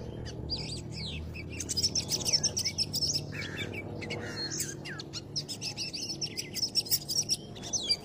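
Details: An oriental magpie-robin sings a rich, fast run of sweet whistles, trills and scratchy chatter that barely pauses, over a low background hiss; the song is used as a lure for trapping the species.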